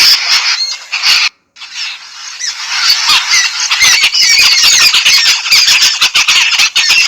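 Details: Yellow-billed babblers bathing in Sri Lanka: after a brief silent break, a busy group chorus of shrill squeals and scratchy chattering notes repeated about twice a second.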